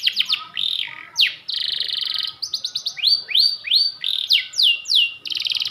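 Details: Panda canary, a kept bird, singing persistently in long bursts: fast rattling trills, rising and falling whistled tours and buzzy sustained rolls run together almost without pause, high-pitched and bright throughout.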